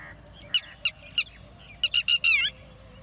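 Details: Red-wattled lapwing (tateri) calling with quick, sharp, piercing notes, a few spaced single notes followed by a rapid burst of four rising and falling strident cries.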